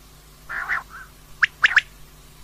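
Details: Female common quail calling: a short buzzy burst followed by three sharp, clipped notes in quick succession, with a final note starting at the end.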